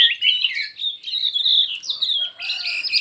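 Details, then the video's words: Chinese hwamei singing in a contest with many voices: loud, sweeping whistled phrases that glide up and down, then a brighter burst of high notes near the end. "Hoạ Mi Hót Đấu Nhiều Giọng"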